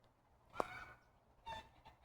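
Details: Chickens that wander into a backyard vegetable garden give two brief, nasal clucking calls about a second apart against a quiet outdoor background.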